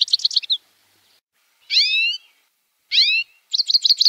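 Grey-headed goldfinch singing: quick, high tinkling twitters framing two drawn-out, nasal, downslurred notes with a slightly mewing quality.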